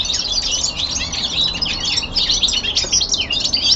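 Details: Young male common linnet at home, winter descant: rapid high twittering with jangling, slurred notes packed tightly together, steady and continuous throughout.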